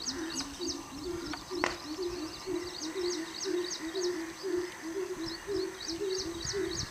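A greater coucal gives a steady series of deep, hollow hoots, about two per second. A high, thin chirping from another bird repeats above it.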